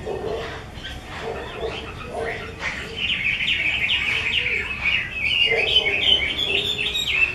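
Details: Keeper's caged Chinese hwamei, mơ type: soft low sounds open the passage, then loud, rapid, twittering whistled phrases pour out in a busy, jumbled warble for the second half.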